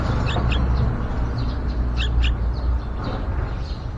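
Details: A few sharp high chirps from a yellow-vented bulbul nest outside a window, in two quick pairs, set against loud low rumbling noise.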